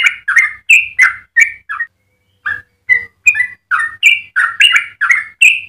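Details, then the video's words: Yellow-vented bulbul in lively, long continuous song used to train or lure other birds: rapid bubbling whistled notes around mid-high pitch, phrases of two or three notes each, with a brief pause near the middle. "Trucukan gacor ropel panjang cengkok termerdu untuk pancingan dan masteran"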